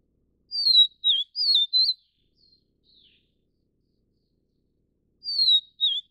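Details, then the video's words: Taiwan-endemic Vivid niltava, subspecies vivida, tending and feeding chicks: a bright four-note whistled phrase of falling and rising slurs, then a quiet pause before the next phrase begins. "黃腹琉璃-育雛/Vivid Niltava-Feeding chicks"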